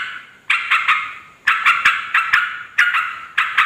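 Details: Yellow-vented bulbul chattering loudly to call in wild birds of both sexes: four rough, buzzy bursts, each a rapid run of two to four grating notes, separated by short silent gaps.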